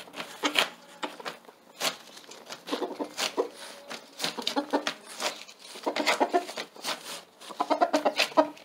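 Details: Rooster on a tarp, urging a hen to come and lay an egg there. Bursts of quick, low clucking are broken up by sharp crackles and rustles from the tarp underfoot.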